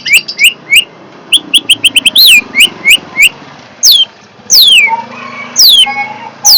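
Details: Fierce long-tailed shrike giving loud, sharp upslurred chirps in quick runs, then a few long, sweeping downslurred whistles, over a faint low hum.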